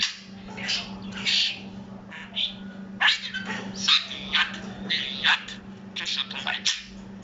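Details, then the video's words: A talking parrot imitating human speech: a run of harsh, raspy, word-like bursts and chattering phrases with short pauses between them, over a steady low electrical hum. "Danışan tutuquşu popuqay, bəyaz gecələr Говорящий попугай Talking parrot"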